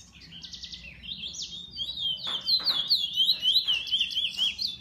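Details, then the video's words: Pet bullfinch opens with a buzzy rattle, then pours out a loud, fast chain of high zigzag whistled notes, punctuated by dry clicking sounds. "Bullfinch 2"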